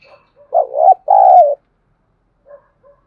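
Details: A spotted dove coos in the half-light of dawn in the thúc gù manner: a wavering broken coo then a long steady coo. Quiet soft notes follow.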